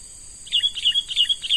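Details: A young wild sooty-headed bulbul, caught by luring and now being trained as a lure bird, gives a quick run of bright chirping notes in short clusters, over a steady high insect drone.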